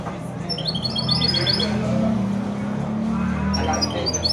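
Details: Goldfinch-canary mule, a hybrid of a male goldfinch and a female canary, sings two quick bursts of bright, high twittering trills separated by a pause, over a steady low hum.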